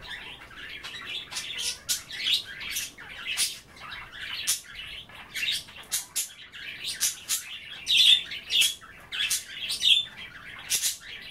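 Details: A longer stretch of pet budgerigar chatter at bath time, the birds nibbling kale in water: continuous twittering warble punctuated by many rapid, sharp clicks.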